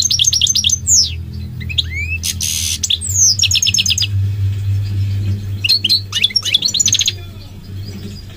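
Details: Goldfinch singing a lively, twittering song of quick, high notes, sweeping slurs and fast buzzy trills in bursts, over a steady low hum.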